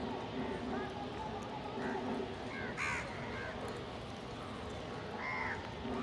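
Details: Crows feeding together alongside a pigeon, squabbling over food; several short, harsh, harmonic caws rise above a steady noisy background of rumble and what sounds like faint speech.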